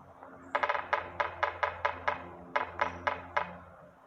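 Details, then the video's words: Northern Flicker (woodpecker) in Stanley Park, Vancouver, BC, making a run of about a dozen sharp wooden knocks, loosely spaced three or four per second, with a faint low hum underneath. "Woodpecker/Northern Flicker making noise"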